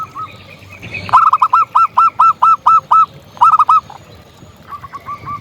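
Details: Actively singing local zebra dove gives loud bursts of rapid, hooked, bubbling coos, one run of eight notes, then a short triple and a softer distant series answering at the end.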